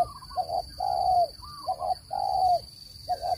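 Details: Spotted dove cooing for bird trapping, pure voice without noise: soft low coos, a quick double note then a long slightly falling hoot, repeated about every second, with faint higher chirps and a constant electronic whine.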